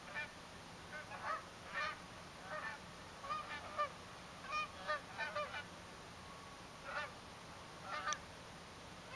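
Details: Winter sunrise on Salt Spring Island, Canada, 2 February 2011, with Canada geese honking: clear two-part nasal honks in irregular clusters and pauses, several geese calling together against faint steady hiss.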